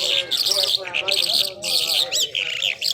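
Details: Mashadi jhal skylark in powerful song, a dense run of high buzzy and trilled notes with a quick rising-falling whistle near the end, continuous with brief breaks.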